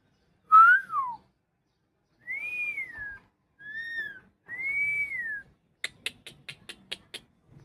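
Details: Tame talking pet parakeet whistling a series of smooth arched notes, each rising then falling, followed by a quick run of sharp clicks, with people speaking in the background.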